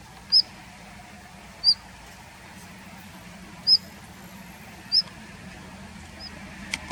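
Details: Daurian redstart holding a winter territory in a plum grove, February 2021: thin, high whistled notes repeated every one to two seconds, fading at the end, over a faint low hum.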